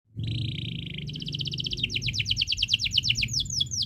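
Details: Canary song used as a tutor recording for young birds: a steady buzzy trill near the start, then rapid repeated downward-sweeping whistled notes speeding into a rolling chatter, with low background hum.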